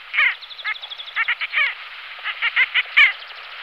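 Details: Pin-tailed sandgrouse giving short, clipped nasal notes in quick irregular clusters, some doubled or tripled, with a few louder downslurred calls standing out against a quiet background.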